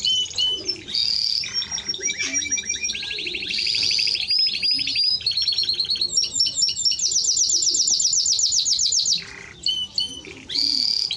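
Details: Long metallic rolling trills from a Timbrado Español canary, with fast pulsed notes repeated many times a second and occasional whistled slurs between the rolls.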